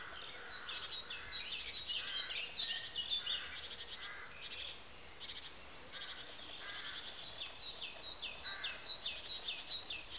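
A nuthatch gives bright, high, piping notes in quick even runs of about six, repeated after a pause, with scattered chips and rustling noise behind.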